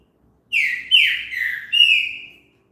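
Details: Green-winged saltator song for stimulating birds to sing: one clear phrase of three loud slurred whistles, each sliding downward, the last held longer and level.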